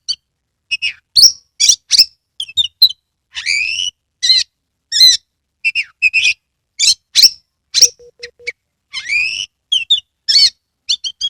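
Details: Oriental magpie-robin (kacer), caged, delivering a long lure song to make other kacer sing with tail open: dense mix of buzzy rising phrases, sharp squeaks and repeated whistled chirps, with a brief low steady hum.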